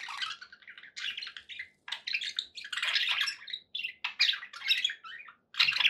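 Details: Contented pet budgerigars warbling indoors, with rolling, scratchy chatter mixed with clear whistled chirps and squawks, grouped into bursts of about one second with brief silences.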